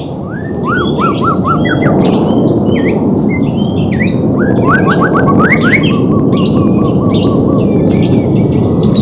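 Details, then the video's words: Song of a white-rumped shama, meant to train a silent bird: runs of rapid repeated slurred notes and varied high phrases, set against loud constant rumbling background noise. "CARA MELATIH BURUNG MURAI BATU MALES BUNYI"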